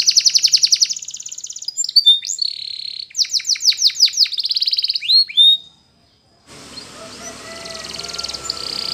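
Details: Spanish Timbrado canary song for training young canaries: rapid high trills and sweeping whistled notes for about five seconds, then a pause followed by a faint, noisy stretch.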